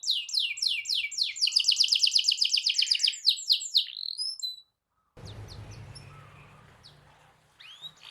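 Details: Long rolling canary song used to provoke other canaries to sing: rapid buzzy trills of quick repeated notes, a bright fast roll in the middle, then a short pause and quiet background noise with a few faint notes.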